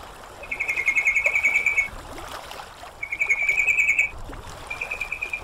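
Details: Sooty-headed bulbul on a training recording for bringing a bird into song: long rattling trills of quick repeated notes, three phrases with brief pauses, over gentle trickling water.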